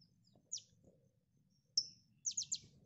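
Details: Konin training recording: a few sparse, high, sharply falling notes, one short bright whistle, then a quick group of three downslurred chirps over soft background noise.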